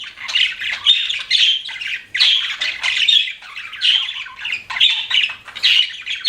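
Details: Budgerigars chirping in bursts: grating squawks and buzzy warbled phrases arrive in clusters about every second, separated by short quieter gaps, a harsh chattering flock of pet birds.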